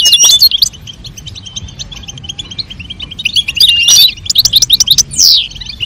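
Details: Goldfinch female call with male song meant to stimulate mating; a loud twittering burst, then a steady run of soft repeated high chips, then another lively bout of liquid twitters and a falling slur.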